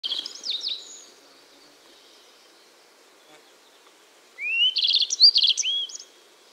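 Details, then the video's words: Yellow-browed bunting singing in East Siberia: a short high whistled phrase with quick downslurred notes, then silence, then a second phrase opening with a rising whistle followed by fast buzzy trilled notes and sharp chips. "Как поёт желтобровая овсянка (Ocyris chrysophrys) How yellow-browed bunting sings"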